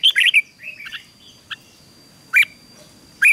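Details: Red-whiskered bulbul, caged and being trained to sing in the morning, gives short bursts of bright chattering notes separated by pauses, with a faint steady high tone running underneath.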